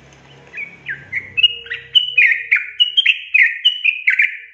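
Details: Song of the sooty-headed bulbul for stirring quiet birds into song: after a low hum and a soft start, bright gurgling whistled phrases follow quickly, each with a sharp downward flick.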